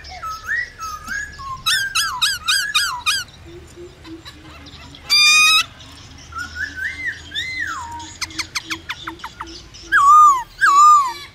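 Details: Cage-kept white-browed laughingthrush singing to encourage other birds to sing: whistled slurs, bursts of rapid chattering notes, a loud harsh rasp, then more looping whistles.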